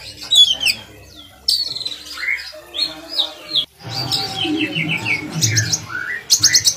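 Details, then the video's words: Kacer, Oriental magpie-robin, singing as a training model for other kacer birds: varied whistles and slurred notes with brief breaks, over low background rumble and faint other sounds. "kacer gacor buat masteran kacer"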